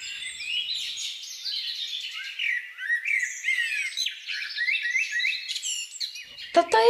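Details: Common linnet (Linaria cannabina) in a garden, spring and summer 2021, a breeding pair feeding young. Lively twittering song of rapid chirps, downslurred notes and buzzy trills, ending with a few sharp clicks.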